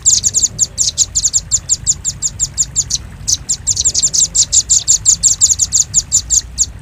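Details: Velvet-fronted nuthatch lure for catching birds' attention: an almost unbroken stream of sharp, high-pitched chips delivered rapidly and evenly, with one short pause partway through.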